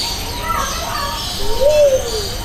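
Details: Luzon bleeding-heart at Jurong Bird Park, recorded on a Sony FDR-AX700 with a Rode VideoMic NTG: one low, soft, arched coo rising then falling, lasting under a second, over children's voices and steady park hum.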